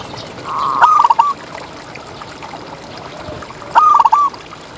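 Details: Active ngalas-style song of a local champion zebra dove used as a tutor. Two soft cooing phrases about three seconds apart, each opening with a rising note and ending in rapid stuttered beats, over quiet hiss.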